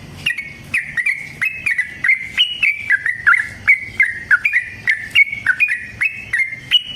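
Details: Fighting song of a yellow-vented bulbul, a long run used to get other bulbuls singing; continuous string of quick, sharp whistled notes, roughly three per second, stepping slightly higher and lower.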